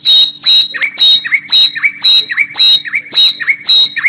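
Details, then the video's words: Thrush nightingale (Luscinia luscinia) singing in spring at sunrise: a loud, rich phrase repeated about twice a second, a high ringing note dropping into a lower throaty one, over a faint low hum. "bülbül sesi-Nightingale Voice"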